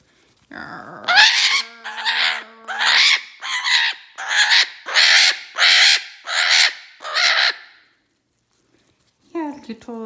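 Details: Pet Eclectus parrot making noises while playing with baby toys indoors: a series of about nine harsh, raspy squawks at roughly one per second, then a pause and a short squeaky chatter at the end.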